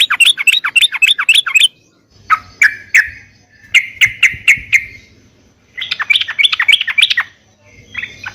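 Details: Caged yellow-vented bulbul song, played to train caged birds to answer. A rapid bubbly burst, a few separate chirps, a short series of clear repeated notes, then another fast bubbly phrase.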